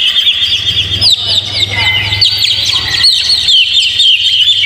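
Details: Oriental magpie-robin in full song as a lure: quick descending whistles and chattering runs repeated rapidly, over a faint low hum.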